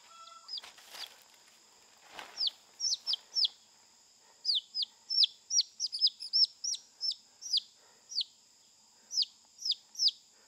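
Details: Young wild chickens, separated from their hens and housed in a knitted cage to acclimate for taming. Clear, high peeps slide sharply downward, coming in a quick irregular series, often paired, over a constant high-pitched hum, with a couple of brief rustles early on.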